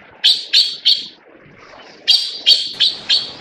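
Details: Taiwan blue magpie, a bird endemic to Taiwan, giving loud, harsh, grating notes: three quick rasping calls, a short pause, then five more spaced about a third of a second apart. Quiet background.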